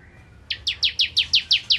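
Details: Ciblek kristal, the bar-winged prinia, in eager 'nembak ngentrok' song: after a brief quiet moment, eight loud, bright downslurred chips follow one another in quick, even succession.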